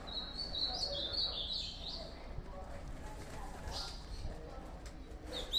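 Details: Ultramarine grosbeak delivering a short run of bright, high warbling notes lasting about two seconds, followed by scattered faint chirps and clicks against constant low-pitched background hum.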